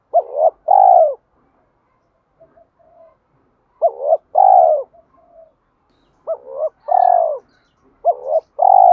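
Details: Spotted dove giving fighting-challenge coos: three rounds, each a quick two-part hooked note and then a long falling croon, about every three seconds, with soft murmuring notes in the gaps.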